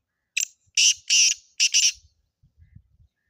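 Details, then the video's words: Black francolin, a recording used for hunting, gives one harsh scratchy phrase of about five notes. A clipped opener leads into two drawn-out buzzes and a quick doubled ending, followed by soft low knocking sounds. "Kale teetar ki awaaz Shikar ke liye"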